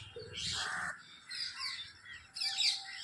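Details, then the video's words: A flock of parrots calling together, with harsh, broad screeching bursts and overlapping chatter that rise and fall in loudness over three seconds. "Flock of Parrots' Cute Sounds Short &Sweet Bird Chorus"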